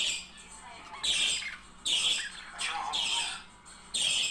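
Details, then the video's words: Budgerigar couple calling, with the sound said to encourage singing and mating: rough, broadband squawk bursts roughly once a second, with softer chattering notes in the pauses, heard indoors. "طائر البادجي على التغريد والغناء صوت يحفز البادجي على التزاوج"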